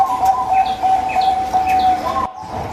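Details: Local zebra dove singing, offered as a lure for a silent dove: a steady mellow cooing tone with brief breaks, accompanied by short, repeated, higher chirps from another bird.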